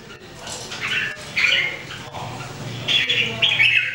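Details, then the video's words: Red-whiskered Bulbul, part of a trio of caged birds practising daily, sings loud slurred whistled phrases in short bursts over steady low background noise. "Training Jambul birds singing everyday 2018"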